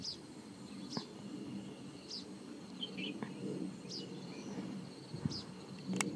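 Richard's pipit giving short, high, scratchy calls every one to two seconds, with a few softer lower notes between, over a steady low rumble.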